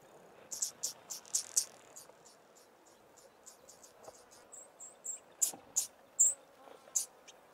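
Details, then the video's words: A male Yellow-crowned Bishop sings from the top of a small tree near foraging females in long grass, guarding his patch: very high, sizzling, insect-like buzzes, about three per second, in uneven bursts with short pauses. "Yellow-crowned Bishop male singing"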